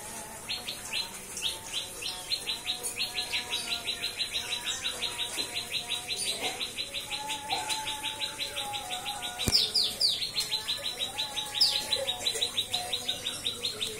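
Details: White-rumped shama from a breeder's stock in cikris style, a long unbroken rattle of crisp, high, rapidly repeated chips, roughly three per second, with brief sharper upswept accents and faint lower whistling behind.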